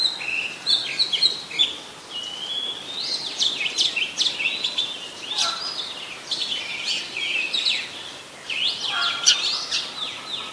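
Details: Varied whistled song of an Oriental magpie-robin recorded 26 December 2020 in Ubon Ratchathani, Thailand, where it is a very common resident; sweet sliding notes mixed with sharp chips and quick trills in an unbroken flowing phrase.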